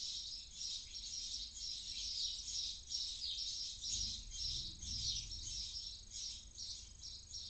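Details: Inside a nest in Cabañeros National Park, Spain, in the early morning at the end of its night, a barn owl chick dozing off gives a breathy, snoring hiss in long overlapping bursts, about two a second, over a soft low rumble.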